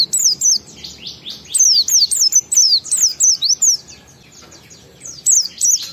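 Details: Oriental white-eye ngalas song with wiksar, used to lure other white-eyes into singing: rapid series of high, thin, down-slurred whistled notes, a brief lull, then two more notes.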